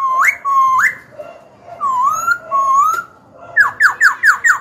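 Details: A Black-throated laughingthrush, a kept songbird, sings to stir rivals into fighting and to coach young birds. Long level and upslurred whistles come first, then a fast run of five sharp, dropping notes.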